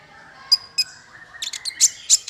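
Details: Bird sounds from a master track for small fighter birds: two high piercing notes, then a cluster of harsh squawky chirps.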